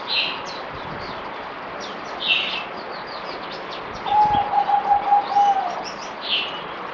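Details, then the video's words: Captive zebra dove recorded 17 April 2020 on its fourth day of deworming, producing one brisk, evenly pitched string of stuttered coos for under two seconds, with loud chirps from other birds before and after. "Merbok Zebra Dove"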